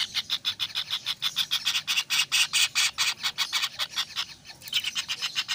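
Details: Kingfisher chicks keep up a continuous series of loud, grating pulses, evenly spaced and quick, fading slightly near the end.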